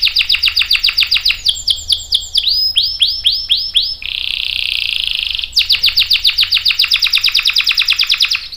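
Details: Canary in full rolling song, meant to coax other birds to answer: rapid repeated whistled notes, slower looping slurs, a smooth buzzy trill, then another long fast series.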